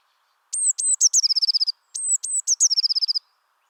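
Eurasian Blue Tit song given twice: two thin, very high notes, then a quick, slightly lower trill of about ten notes. Nothing else is heard.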